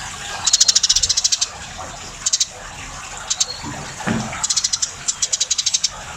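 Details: Tame Eurasian tree sparrow chattering energetically: quick runs of high, clicking chirps in several bursts, with a brief low splash or knock midway and soft background noise.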